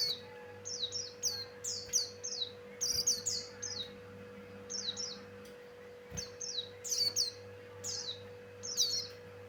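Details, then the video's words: Energetic song of a male Javan grey-throated white-eye played to attract wild birds: rapid runs of piercing, downward-sweeping chirps grouped in bursts, some doubled and tumbling, separated by brief gaps, against a steady background hum. "Suara Burung pleci Buxtoni Cocok Untuk Pancingan"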